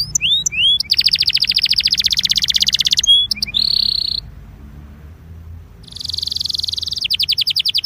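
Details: Belgian canary warm-up song with rising whistles, a long fast rattling trill, a short buzzy roll, a quiet pause, then further trilling and quick repeated notes.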